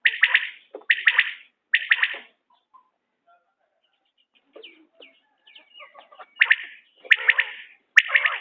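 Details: Common quail giving a quick three-note series of harsh, burry calls, then a pause filled with soft scattered chirps, followed by more rasping bursts toward the end.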